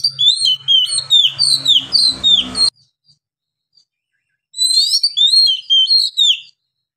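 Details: Oriental magpie-robin (kacer) in lively ngeplong song with long breath; two bursts of quick, high, downward-sweeping whistles and chirps, split by two seconds of near silence, with a faint low hum under the first.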